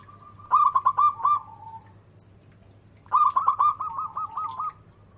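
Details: Two bursts of zebra dove song, each a rapid string of staccato coos that trails into a smoother, softer drawn-out note. A quiet gap separates them, with a constant low hum.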